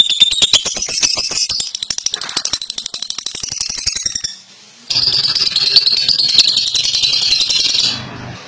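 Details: A fighter lovebird rattles through its long ngekek song, with fast dry clicking pulses at first, a brief break near the middle, then a denser, shriller buzzing chatter.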